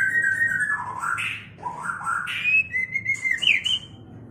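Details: Mating song from a white-rumped shama: fluid whistles swooping down then up in repeated loops, finishing with brisk clipped notes that rise sharply, set against a faint low hum.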